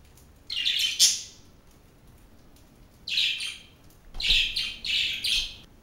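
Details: Several pet budgerigars kept together indoors, giving bursts of harsh, noisy chirps and squawks in three clusters, each lasting about a second, high-pitched and scratchy.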